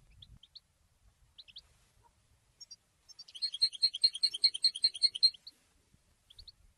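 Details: Goldfinch singing, a song meant to help train other goldfinches: scattered soft high chips, then a two-second burst of quick, evenly repeated tinkling notes, followed by a few more thin chips and faint low bumps.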